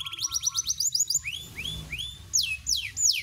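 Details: Song of a Panda canary, a domestic Atlantic canary variety: rapid, loud trills of repeated high chips, then sliding whistled sweeps dropping in pitch, ending with bright bursts of descending notes, faint low rumble beneath.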